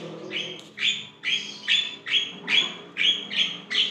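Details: Javan myna (jalak kebo), singing briskly: a rapid series of eight short, bright, slightly rising chirps, evenly spaced about twice per second, clear over quiet background hum.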